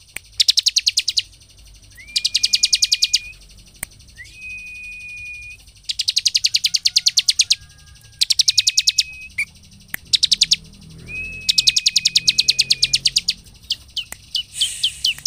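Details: Bar-winged prinia song meant to rouse other ciblek into singing: long rattling runs of rapid high chirps alternating with flat sustained whistled tones, repeated in four bursts over a background hum.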